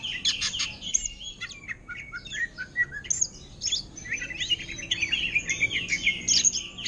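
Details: Greater green leafbird for sale, caged, delivering a ngentrok song in the manner of an orange-headed thrush. Busy, high, scratchy chattering, with whistled slurs running almost without pause.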